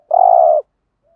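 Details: Decoy spotted dove call used to lure wild doves: a single steady, husky mid-pitched coo lasting about half a second in otherwise silent surroundings.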